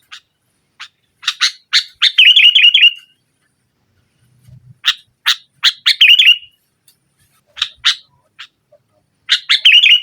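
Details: Sooty-headed bulbul singing vigorously in the nggaruda style, presented as a lure to press rivals and stir silent bulbuls. Three phrases: sharp short notes leading into a bubbly, warbled flourish, separated by silent pauses.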